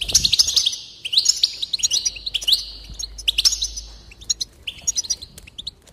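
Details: Goldfinch singing to spur another goldfinch on: dense, continuous high twitter of rapid slurred notes and trills, easing off toward the end.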